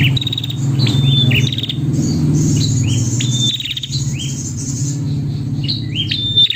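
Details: Calling female prinia aimed at a male, with clusters of high chirps and upslurs repeated irregularly, roughly four per second, partly masked by a loud low droning hum.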